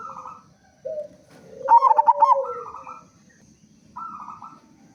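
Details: Local zebra dove lure song: one strong phrase of quick rolling coos over a lower sustained tone, framed by softer nasal notes and a low rumbling background.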